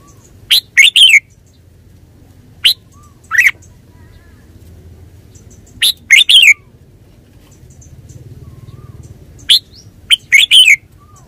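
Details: Red-whiskered bulbul giving short, lively warbled phrases in bursts a few seconds apart, each a sharp note followed by a bubbly slurred flourish; soft background hum and a faint murmur.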